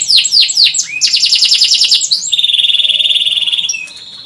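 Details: Canary song with sweeping downward notes, a buzzy rapid trill, then a long steady rolling trill fading at the end.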